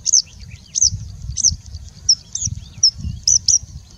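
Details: High, clipped, whistled notes from a singing bushlark, each short and slightly hooked, spaced about half a second apart, part of a long mimicry-filled song.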